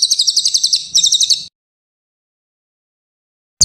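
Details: Brown cililin in vigorous song for songbird training: a high, pulsed trill that briefly pauses and resumes with a louder burst, ending after about one and a half seconds, then a short restart at the end.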